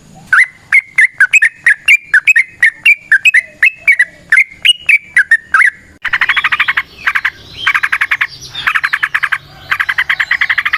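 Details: Trucukan, or yellow-vented bulbul, singing a long 'ropel' run to draw in other birds: a quick, even string of clipped whistled notes for six seconds, then a dense, buzzy chattering burst of rapid repeated notes.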